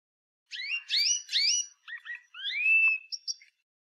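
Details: Canary singing a rich, varied phrase of whistled notes, slurred upward and downward sweeps and quick chirps, running for about three seconds with brief gaps, ending in two short high pips; no other sounds.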